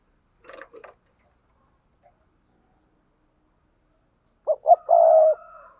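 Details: Spotted dove paired cooing: after brief faint scratchy sounds and a long silence, one low phrase near the end, two short hooting notes then a drawn-out hoarse coo.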